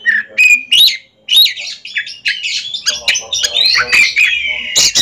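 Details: Singing duel between two caged ringed Oriental magpie-robins: a short whistle and squawky notes, a brief pause, then dense chattering song mixing harsh rasps and high whistles.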